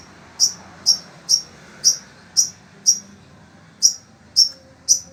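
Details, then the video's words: Caged long-tailed shrike of the sembur type in Indonesia, kept singing nonstop (melocor) in desert-like heat: sharp high chips repeated about twice a second, with a short gap before the last three, over a faint low hum. "Burung Cendet INI TETAP MELOCOR DOR"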